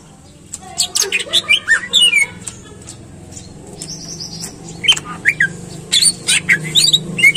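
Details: Greater green leafbird song used as bait to get other leafbirds singing: bursts of high, sharp chirps and quick slurred whistles, some sliding down, in short phrases about every half second with brief pauses between groups.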